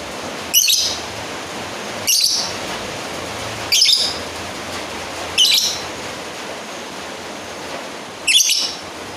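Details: A lovebird calls out to a rival, giving five abrupt, piercing, rasping chirps at uneven gaps of roughly one and a half to three seconds, with a constant low hiss behind.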